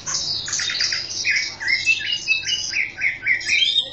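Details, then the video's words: Chinese hwamei (Garrulax canorus), a competition songbird, singing a rich, varied song of loud whistled phrases, quick repeated notes and rising slurs, delivered almost without pause. "Kicau Burung Hwamei Wambi Gacor"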